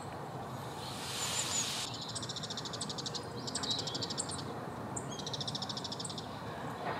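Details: Male Siberian rubythroat singing: two bursts of high, buzzy, rapidly pulsed trills with a few thin whistled notes, set against a steady hiss of background noise.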